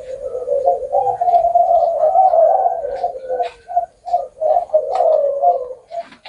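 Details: Spotted dove singing a coo with an ending of nine to ten notes or more; a sustained stretch of low coos is followed by shorter, separated notes repeated about every half second.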